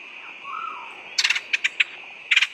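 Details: Woodpecker lure call: a quiet stretch, then a burst of four quick sharp notes, two single notes, and another rapid triple burst, over a steady high hiss.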